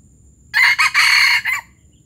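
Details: A single hoarse junglefowl crow, recorded in Palembang and called 'gerabas gerabas'. The crow runs just over one second as a short opening burst, a brief second note, a long grating stretch and a clipped final syllable, with near silence before and after.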